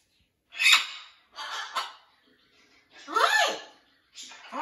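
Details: Blue-and-gold macaw joining a new flock at a parrot rescue; a run of four harsh squawks and rasping calls, some with bending, sliding tones, separated by short pauses.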